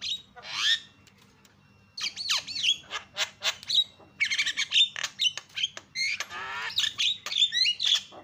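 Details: Javan myna calls played to goad other mynas into calling: a single hoarse squawk, a pause, then quick chattering phrases with looping whistled notes and gritty rasps, somewhat quieter overall.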